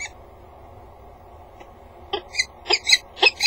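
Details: A female peregrine falcon gives six short, harsh, chipping notes in quick succession after a quiet stretch with low hum. She is in a water-tower nest box at 07:51 on 18 November 2015, after eating grit, calling a few times from the grating.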